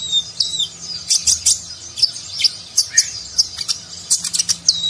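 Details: Tutor recording of a konin, a nectar-eating sunbird, performing the Nagen style with rich filler: dense, shrill, high twittering with quick slurred notes and sharp ticks, almost continuous over five seconds.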